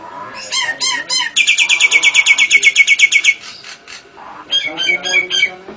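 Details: Song of a Nias hill myna with lovebird and canary imitations: looping chirps, then a fast regular run of piercing high notes, a soft pause, and several more varied chattering phrases.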